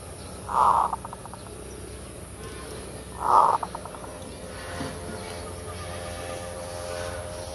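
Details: Zebra dove song in the kerot style, played as a lure call: two phrases roughly three seconds apart, each a loud low coo breaking into a quick stuttering run of notes, over a steady background hum.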